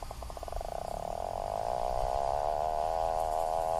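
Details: Atlantic puffin call beginning as a fast purring pulse that smooths into a steady, wavering nasal drone, with background noise throughout.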